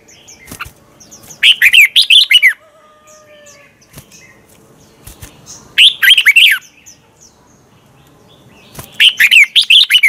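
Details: Competition-style morning song of a red-whiskered bulbul, used to get other bulbuls singing: three separate bursts of fast, liquid warbling, each about a second long, roughly four seconds apart, with faint chirps between.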